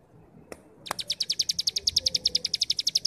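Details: Starling delivering the 'brem' song used as a teaching master for young birds: two sharp clicks, then a steady, rapid string of high, chattering notes, roughly eight each second, holding an even volume.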